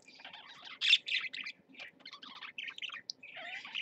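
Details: Caged parakeets chatter in a jumble of scratchy chirps and squeaks, with one louder burst early on and a short whistled note near the end, over a low hum.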